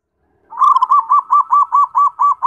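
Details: Zebra dove song, a steady string of about ten clear, rolling coo notes repeated evenly at roughly five per second, each note a short rising-and-falling hoop.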